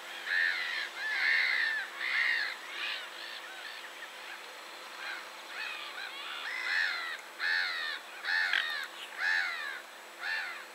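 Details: Gulls calling, recorded at a site in Poland: a steady series of harsh, chevron-shaped mewing cries repeated about once a second, several birds overlapping, with a constant background hum.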